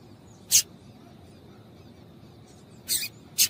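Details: Female double-collared seedeater piping used to stimulate males: one short, high chip, then a slightly doubled chip and another sharp note close together near the end, over faint background hiss.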